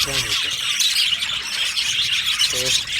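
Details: Happy budgerigar flock in an aviary, busy high chirping and squeaky twitters throughout, with a brief low voice-like sound at the start and again near the end.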